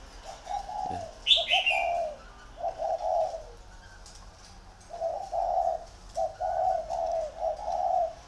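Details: Spotted doves used as decoys, two birds competing, utter soft groups of deep coos after a high chirp from another bird, phrases spaced by quiet pauses.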